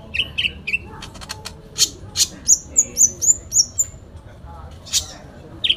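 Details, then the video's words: Sooty-headed bulbul delivering a full fighting song: scattered clicks and chirps, then a run of six high, thin, level whistled notes in quick succession, plus a final downward chirp. "Konin Dacok full isian tarung"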